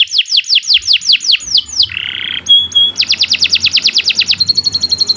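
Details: Canary song used as a training recording for songbirds: rapid series of downward-sweeping whistled notes, then a buzzy low trill, a brief pure tone, and fast repeated chips ending in a steady high trill.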